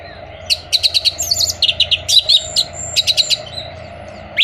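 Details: Orange-headed thrush singing as a stimulus for moulting, stalled or out-of-condition birds: quick runs of clipped high notes repeated in fast rhythmic clusters, mixed with short twittering phrases and a faint steady hum.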